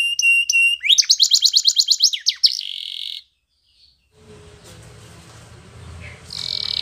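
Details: Spanish Timbrado canary training song: a few sharp whistled notes, then a rapid rolling series of chirps and a short buzzy trill. About a second of silence follows, then steady hissing background noise.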